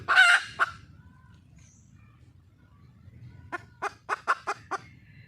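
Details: Calling for a mate, a wild junglefowl hen gives a loud harsh squawk and a cluck, falls silent for about three seconds, then utters six quick clucks.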